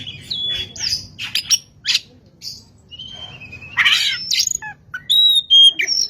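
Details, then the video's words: Kacer, the Oriental magpie-robin, singing hard as a lure recording: rapid varied chips, a level whistle, a harsh rasping burst, then high pure whistled notes, with a soft low hum beneath. "pancingan burung Kacer gacor"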